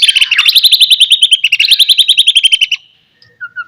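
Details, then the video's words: White-rumped shama lure song to spur other shamas into singing: a fast, even trill of about fifteen notes per second, gently falling in pitch, ending with a short low whistle. "DENGAR KICAUAN MURAI GACOR INI"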